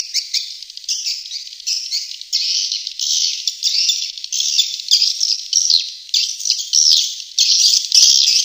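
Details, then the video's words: Swiftlet call meant to lure swiftlets: an almost continuous high, shrill twittering made of buzzy chirps run together in uneven surges, with barely any silence. "Suara burung walet panggil"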